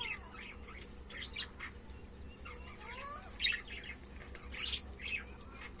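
Budgerigars chattering with quick high chirps and warbles, several birds overlapping in irregular bursts over a steady low hum.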